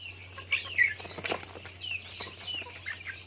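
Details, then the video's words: Chickens going about their daily activity, giving short high chirps and soft clucks in an uneven run, with a steady low hum underneath. "Natural Sounds of Chickens | Daily Activity with Chickens"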